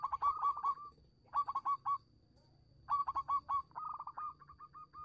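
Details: Zebra dove of a local strain, used to coax other doves into singing. Three bouts of quick, staccato coos, each a rapid cluster of clipped mid-pitched notes separated by short pauses, with a longer trailing run at the end.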